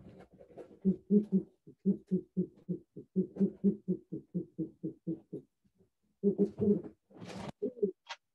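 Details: A captive Great Horned Owl, very chatty at a wildlife school assembly, hoots "who who" in a fast run of low, muffled hoots, about four a second, then a brief pause and a few more; a voice near the end.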